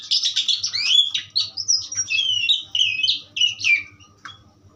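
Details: Powerful song of an Asian pied starling: rapid mixed whistles and rough chattering phrases, a few sliding notes, fading quieter over the last second.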